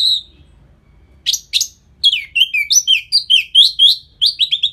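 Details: Orange-headed thrush song, a lure to make the bird more aggressive after moulting: a single whistle, a pause, then a fast, continuous stream of rich, loud, slurred whistles and trills that rise and fall.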